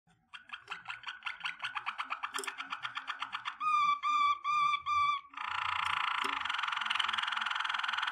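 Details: Waterslager (Malinois) canary singing a training song: a run of quick repeated metallic notes, then pure rolling trill blocks, ending in a dense buzzy rattling roll.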